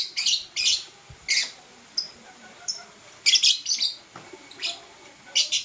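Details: Blue and green lovebirds chirping in the morning: short, harsh, shrill chirps in clustered bursts, some doubled, roughly ten across the stretch, with brief thin high notes between and a quiet background.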